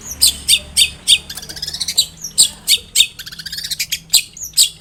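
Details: Long-tailed shrike song meant to draw a reply from another shrike: loud, harsh, high chattering notes in irregular bursts, with softer twittering between them.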